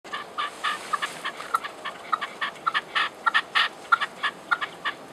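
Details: A Red-legged Partridge sings in the hills above Genoa, giving harsh, chuffing chuk-chuk-chukar notes in quick, uneven bursts, roughly two per second, over a faint steady hiss.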